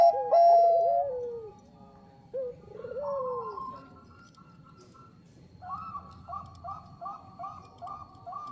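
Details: Singing Bangkok-type zebra dove used as a lure: a clear held coo falls away, soft bent coos follow after a pause, and the end brings a rapid string of even, gurgling double notes.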